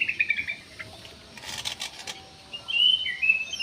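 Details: Jumbo parakeet in an aviary giving bright chirping calls, a fast run of short notes at the start, a quiet gap with soft clicks, then longer warbled chirps toward the end.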